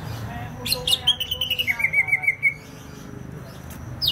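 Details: Banyuwangi greater green leafbird in full song: a few sharp high notes, then a fast rattling series of short whistled pips stepping down in pitch, ending abruptly, with low hum in the background.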